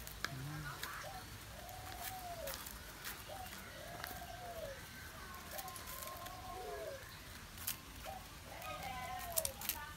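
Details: Spotted dove calling on 21 August 2021, four repeated coo phrases about every two seconds, each a brief upbeat note then a drawn-out falling coo, over background noise with a faint whine and occasional clicks.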